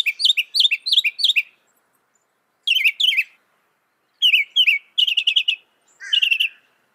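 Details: Repeated twittering phrases from a northern mockingbird, said to imitate 200 sounds, each phrase type given several times in quick succession before switching to another, separated by short silences.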